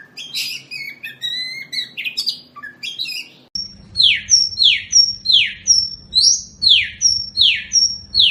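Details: Oriental magpie-robin (kacer) from a master recording used to train birds for song contests, described as poci ngobra style: varied chirps and whistled notes, then a run of about eight loud, bright, downward-sweeping notes, roughly two per second.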